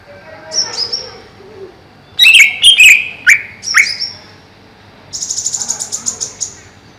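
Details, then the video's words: Greater green leafbird caged above a pond: a few thin high notes, then a quick cluster of loud clipped whistles with downward slurs, followed by a rapid buzzy high trill of about a dozen pulses. "Burung Cucak Ijo"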